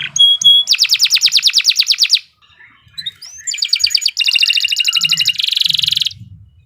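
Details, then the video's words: Canary in a long lively song for training other birds: short bright notes, then a fast pulsing trill, a brief pause with soft chips, and several dense rapid rattling rolls at different pitches. "Kicau Burung Kenari II GACOR PANJANG"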